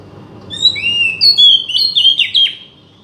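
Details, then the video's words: Oriental magpie-robin song played to coax a bird that has stopped singing: a rich run of clear whistled notes, some rising and some falling sharply, delivered in a rapid sequence over low background hum. "buat mancing burung kacer macet bunyi"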